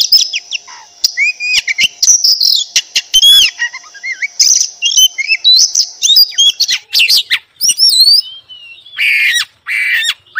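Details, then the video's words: Oriental magpie-robin in sustained song, recorded morning, afternoon and night: almost unbroken high twittering with sharp clicks, looping slurred whistles and a harsher scratchy phrase near the end. "Suara burung Kacer pagi siang malam"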